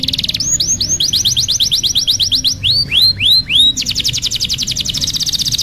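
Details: Tutor song for young canaries learning their notes: a run of hooked upswept whistles that slows into broader swooping slurs, then switches to a rapid, dense high trill.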